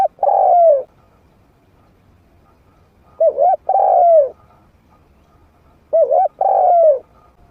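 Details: Medium-voiced trained spotted dove used as a lure for wild doves. Three phrases about three seconds apart, each a quick double coo and then a long, descending, drawn coo, with near silence between them.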